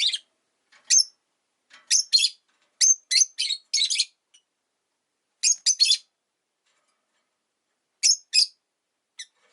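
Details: Caged rosy-faced lovebirds, five birds housed near a window, calling steadily in winter: clusters of sharp, high, squeaky chirps in quick pairs and triplets, with short pauses between bursts.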